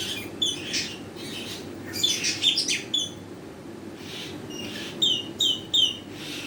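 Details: Rainbow lorikeet calling: short, sharp, high chirps, some buzzy and some thin and tonal, in scattered groups of two to four, over a steady low background hum.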